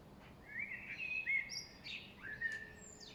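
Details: A common blackbird (kos) sings in spring in the late afternoon, louder than nearby chirping birds: rich fluted phrases dipping and rising, broken by thin high squeaks and ending in a descending whistle.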